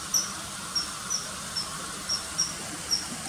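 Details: Faint, high, thin whistled notes of a common kingfisher, seven short calls spaced irregularly, set against a noticeable hiss.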